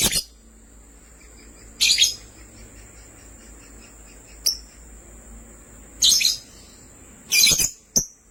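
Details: Two lovebirds, a sky blue opaline and a green opaline, give shrill, harsh chirps in short bursts every second or two, some doubled, over a steady high-pitched whine.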